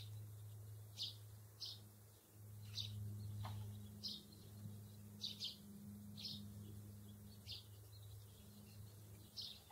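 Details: Pair of sparrows in green meadow grass: scattered sharp, high chirps, sometimes doubled, spread across ten seconds with gaps, plus a persistent low hum in the background.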